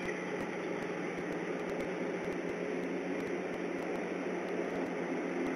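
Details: Constant hiss and electrical hum with faint periodic clicks and no calls.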